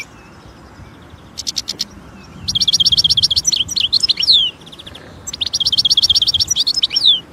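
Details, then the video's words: European goldfinch singing in nature: after a few short high notes, two long outbursts of rapid, buzzy, tinkling trills with liquid twittered slurs, each running about two seconds, high-pitched and bright over a quiet background. "جمال الحسون في الطبيعة"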